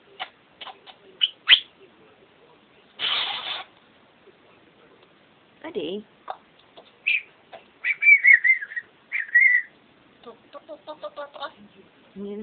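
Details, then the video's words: A pet bird singing indoors with its owner: scattered short chirps, a harsh burst, then warbling, whistled phrases and rapid stuttering notes, with quiet gaps between them. "buddy singing"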